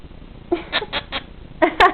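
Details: Female monk (Quaker) parakeet, DNA-sexed, about five years old, pet being silly while interacting with her owner, gives a quick run of harsh, nasal squawks ending in two louder, raspier bursts.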